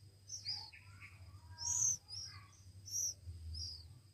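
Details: Hand-fed week-old Oriental magpie-robin nestlings make a few loud high squeals alongside softer lower chirping notes, over a faint low hum.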